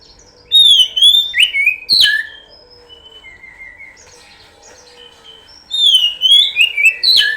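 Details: Oriental magpie-robin lure song: a burst of loud whistled, sliding phrases ending in sharp notes, then a long stretch of soft, quiet whistles, then another loud run of varied whistled phrases.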